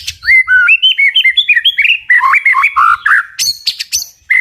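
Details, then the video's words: White-rumped shama singing a very strong 'tach' song meant to provoke other birds to fight: a rapid chain of clear, varied whistled notes, jumping up and down, ending in sharp high clicks and a final whistle. "Chòe lửa tạch cực mạnh để kích chim đấu"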